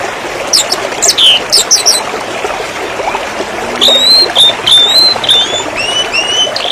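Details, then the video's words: Canary song from a master recording used to train birds: sharp high chirps early, then a run of bright whistled notes and upward slurs repeated quickly, with constant background hiss. "Mastering Burung kenari"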